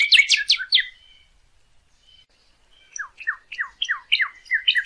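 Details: Northern cardinal singing, a recording meant to train cage birds: a quick burst of sharp notes, a pause of nearly two seconds, then a series of short falling whistles that quickens toward the end.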